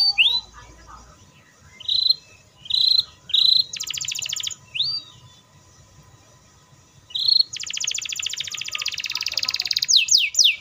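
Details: Belgian canary in full song with long, fast, tightly packed rolls: high whistled notes and upswept chirps broken by two long, rapid, buzzy rolls near the top of its range.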